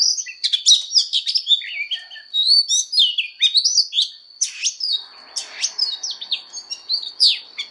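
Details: Oriental magpie-robin in voice-training fighting song, pouring out a rapid, varied stream of sharp chirps, whistles and trills with few gaps, over a constant faint high-pitched tone.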